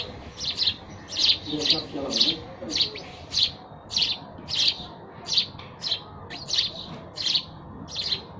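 Sparrows give repeated short bright chirps, about one or two per second, in an irregular chattering series with faint background noise.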